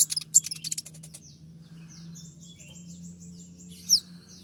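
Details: Konin in a master recording used to train songbirds, 'tembakan' style: a quick burst of high chattering notes, then a faint series of thin, falling whistles and one louder note near the end.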